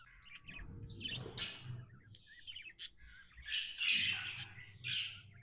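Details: Tame budgerigar in a happy mood, giving scattered short chirps and trilled notes, then a busier warbling chatter, over a faint low background hum.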